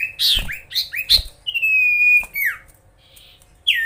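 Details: Common iora in full song aimed at upsetting rival birds: quick upswept chirps followed by one long, steady, pure whistle held nearly a second, then a sliding downward note and a final rising whistle.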